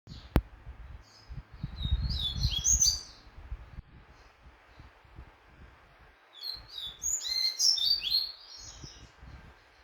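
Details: Double-collared seedeater, a competition bird in training for a tournament, singing two bursts of high, quick twittering and slurred whistled notes separated by a pause, with low background rumble.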